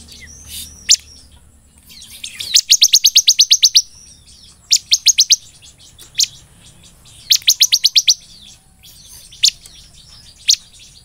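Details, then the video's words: Bar-winged Prinia (ciblek) singing loudly in the 'nembak belalang emas' style. An opening rattle of about ten piercing high notes, then bursts of four to six and isolated sharp chips. "BURUNG CIBLEK GACOR NEMBAK BELALANG EMAS"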